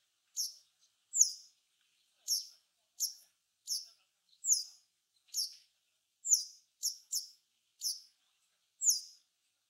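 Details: A Japanese wagtail in Japan, a bird of fields, grassland and waterside, gives short, harsh, buzzy high notes, about thirteen in ten seconds at an uneven pace, against a quiet background.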